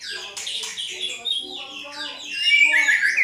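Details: White-rumped shama singing energetically, played to make a caged shama reply with its repertoire; rapid varied chattering and whistled notes, busier and louder toward the end, over faint low tonal lines.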